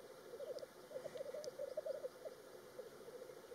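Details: Black grouse at a lek display, giving a continuous low bubbling, rolling coo in rippling phrases with brief pauses, over faint background hiss and a few soft ticks.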